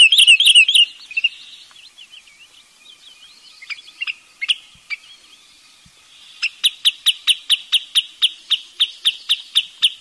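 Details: Wood sandpiper: scattered high chirps and warbled notes at first, then a steady, rapid string of piercing whistled chips, about four each second, over the final four seconds.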